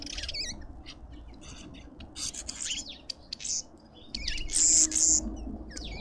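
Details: Several lovebirds at a suburban garden feeder in Pretoria, South Africa, producing scratchy clicks and sharp chirps, then a loud piercing shriek near the end, with faint low rumble beneath.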